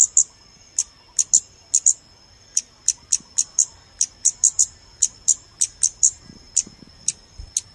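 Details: Lure recording of the scarlet-backed flowerpecker for bird photography: a long run of sharp, very high clicks spaced roughly every third of a second, occasionally doubled, over a faint continuous high tone.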